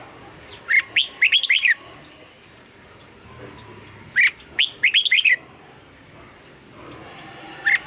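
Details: Red-whiskered bulbul morning song in the mature wild double-note style, used for voice training: two bright whistled phrases of about six quick rising-falling notes, roughly three seconds apart, then a lone note at the end, over faint background hiss.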